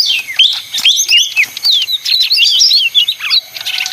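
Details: Leafbird called ijo mini (daun) chattering in quick phrases of slurred whistles and clipped chips, separated by short silences.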